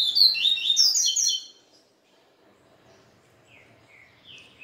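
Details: Yellow-bellied seedeater singing its Israel song after a day with a female: a fast, jumbled run of high whistles for just over a second, then quiet and a few softer slurred notes.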